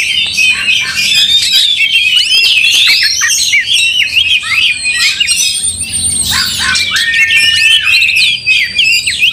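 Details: Oriental magpie-robins battling in an angry state, tails open; fast, irregular bursts of high scratchy notes and squeaky sweeps, with long drawn whistles near the end.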